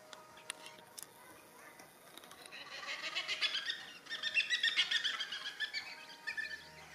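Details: Yellow-tailed black cockatoos feeding on bottlebrush and banksia flowers in Tasmania, Australia; a loud burst of rapid, harsh, pulsed calls repeated several times a second, rising then fading over a few seconds, with faint clicks and rustling before it.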